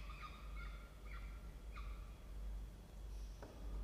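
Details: Nest-box peregrine falcons in a water tower, Orange, New South Wales, Australia: four short, harsh, down-slurred calls roughly every half second, followed by silence, a single sharp click and a faint high tone, with constant low hum.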